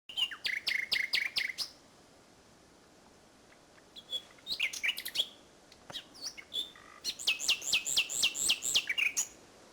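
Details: Common nightingale singing at Salthouse, Norfolk, on 1 May 2011, at the end of a bird race day. Its phrases are rapid repeated high notes alternating with pure whistles and short pauses, then a long, fast, pulsing series.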